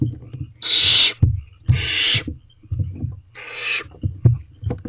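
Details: Barn owl owlets in a nest box at 9:57 pm on 8 May 2023 give three harsh, breathy hissing screeches, each about half a second long and roughly a second apart, over low thumps and scuffling as they take turns with a rabbit.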